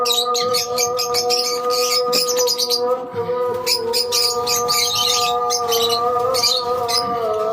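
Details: Continuous shrill twittering from a lovebird colony, countless short high chirps overlapping without pause, set against an unbroken humming drone.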